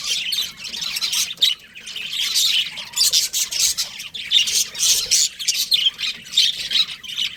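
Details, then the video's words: Budgerigar flock giving continuous squawky, twittering chatter, bright high notes pulsing in waves roughly twice a second throughout, with no pauses. "Cute Budgies Chirping Sounds"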